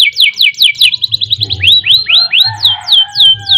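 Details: Canary song in the long rolling style, made for training caged birds: sharp down-slurred whistles, a quick trill, rising swoops and more falling whistles, with a low background hum.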